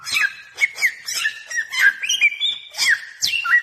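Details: Bare-throated whistler (samyong) song used to lure birds: rich whistled notes sliding up and down, with a long level whistle in the middle, broken by sharp chipping notes throughout.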